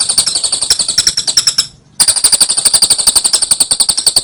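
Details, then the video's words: Lovebird ngekek song, the long rapid trill played as a training recording to get birds to trill; fast dense chattering notes, a brief pause near two seconds, then the trill resumes. "Masteran love bird ngekek jeda rapet"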